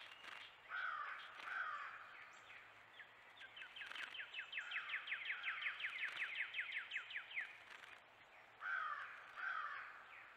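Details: Wrens gathered at a bird bath, some quite vocal: a short burst of calls, then a long dry trill of rapidly repeated notes lasting about four seconds, followed by more brief calls over steady outdoor background noise.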